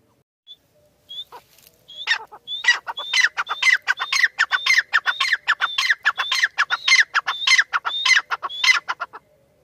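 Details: Francolin starting with a few isolated high whistles, then breaking into a long, rhythmic run of loud, harsh, clucking phrases. Each phrase begins on a thin whistled note and drops lower, repeated steadily for about seven seconds.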